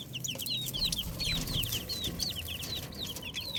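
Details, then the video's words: Young chickens cheep rapidly and without pause: bright, high, downslurred peeps from several birds overlap over a constant background hiss and low hum. "Cute Chicks Sound Effect 🐥🐣 | Beautiful Baby Chicken Sounds"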